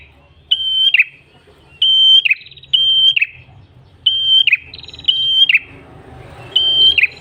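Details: Red-headed tailorbird singing energetically in ngalun style, a recording for luring birds: level whistles ending in quick downward slurs, repeated in spaced groups, some joined by buzzy trills, with soft low noise behind.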